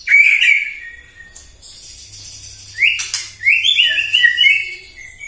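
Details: Morning lure song of a White-rumped shama for provoking other shamas: a bright warbled phrase, a lull of soft high sounds, then a lively burst of rising and falling whistles.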